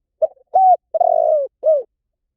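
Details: A spotted dove's low, soft coo phrase: a short opening note, a clear level coo, a long rolling trill falling gently, and a rounded downslurred ending.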